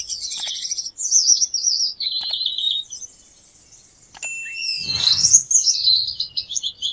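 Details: Gouldian finch singing in high, hissing, buzzy phrases broken by short gaps. A soft thump and faint rustle come midway, followed by a louder rising, wavering buzzy passage.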